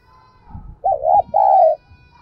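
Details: Spotted dove used as a lure bird, cooing to draw in wild doves with its thúc and gáy calls; after soft low murmurs comes one loud phrase of two coos: a wavering first note, then a longer steady one.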